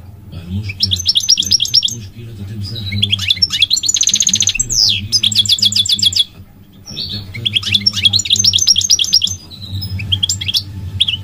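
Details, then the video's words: Migratory goldfinch delivering long stretches of lively song: tinkling twitter runs, buzzy rattles and sliding whistled notes in three extended phrases separated by brief pauses, over a low background drone. "The elegant migratory goldfinch sings the most beautiful singing"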